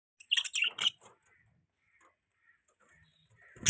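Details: Pet budgerigars in the morning: a quick burst of bright chirps in the first second, then soft faint warbling and quiet gaps, ending with a sudden loud noisy burst.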